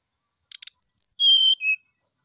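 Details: Brown-chested jungle flycatcher in flute-like morning song: two soft clicks, then a few long, pure whistles falling in steps, the lower one held steadily for about half a second.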